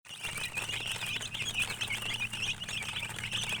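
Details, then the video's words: Baby chicks chirping as a flock: dense overlapping high peeping calls with quick rising and falling notes, continuous throughout, over a low steady hum. "Chicks Chirping"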